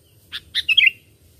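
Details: Bird-catching lure of a sooty-headed bulbul: a lone cheerful phrase opening with two soft chirps, then a quick run of liquid whistled notes sliding down at the end.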